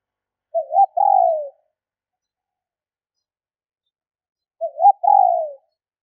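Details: Female spotted dove giving its call to stimulate males: two phrases four seconds apart, each a quick rising wobble then a drawn-out coo sliding slightly downward, with silence between.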